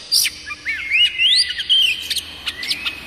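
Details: Oriental magpie-robin (kacer daput) song, used as a tutor and lure to make other kacer birds sing: bright whistled upward sweeps and slurred notes between sharp clicking ticks, with a steady high tone underneath and a quiet background.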